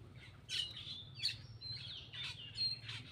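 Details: Eating Black-winged myna producing loud, rasping squawks mixed with thin whistled strands, about four harsh bursts in three seconds, over a soft low hum.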